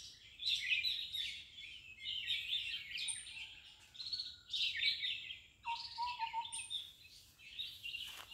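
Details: Baby red-vented bulbuls being fed: a chorus of harsh, high chirps arriving in pulsing bursts about every second and a half, with a few short, lower whistled notes between them.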